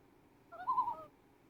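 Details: A mother Common Loon with her chick gives one brief, mellow hooting note about half a second long that swells slightly and then fades against a quiet background.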